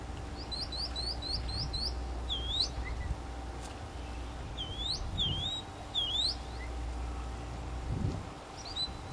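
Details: Northern mockingbird singing while preening in Florida native plants, 2005: rapid series of high, sharp downslurred notes repeated in short bursts, then looping upswept phrases, over steady low hum.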